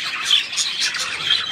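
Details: A short burst of budgerigar chatter from 3 April 2017, bright scratchy chirps blending into a constant high twittering.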